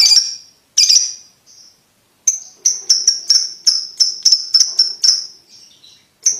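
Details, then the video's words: Lovebird ticking call for teaching young birds to trill quickly: a few spaced high chips, then a rapid run of about a dozen sharp ticks roughly three per second, followed by a final chip. "Lovebird Ngetik Ngetik Untuk Pacingan Paud Cepat Ngekek"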